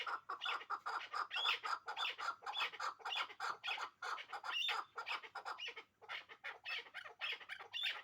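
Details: Pair of hybrid chukar partridges kept for breeding, calling in a dense, steady series of scratchy clucking notes with occasional squeaky whistled tips, about two each second with one brief gap.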